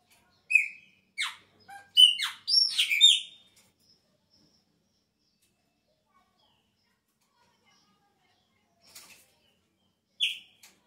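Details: Chopi blackbird singing at the start of the breeding season, when its song changes: a burst of loud, clear whistled and slurred notes over about three seconds, then a long silence and one last bright whistle.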